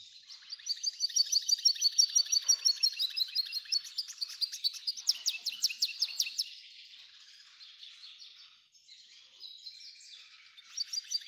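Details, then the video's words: F1 hybrid goldfinch singing at length: a fast, dense twittering song of high chirps and trills, briefly dipping lower around the middle and pausing near the end before picking up again. "Belo canto do F1"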